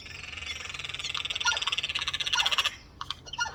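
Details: Chorus of four Eurasian jays gathered on a windowsill: a fast, grating stream of pulsed rasps that runs almost continuously, then breaks into shorter harsh squawks near the end.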